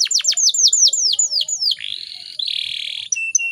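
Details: Female Atlantic canary calling to provoke males into singing: a run of rapid descending whistled sweeps, then a long buzzy trilled phrase and short high clear notes, loud and continuous.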